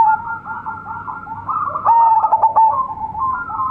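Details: Young local zebra dove from lure stock gives a brilliant coo. Overlapping mid-pitched cooing phrases build to a louder burst of rapid clipped notes and a held tone, over a steady low hum.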